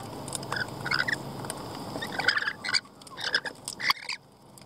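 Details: Several lorikeets chattering with rapid, shrill, metallic squeaks and screeches, busiest in the second half before fading to quiet at the end.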